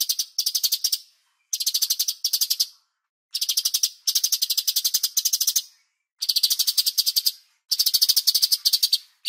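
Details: Master recording of a bulbul for training songbirds: repeated bursts of fast, rattling, buzzy high-pitched chatter, each lasting roughly a second, broken by short pauses of silence.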